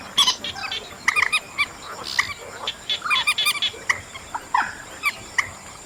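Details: Chestnut munia recording from August: short, harsh, stacked chattering notes given in quick scattered bursts, some clustered in rapid groups, over a steady high faint hiss.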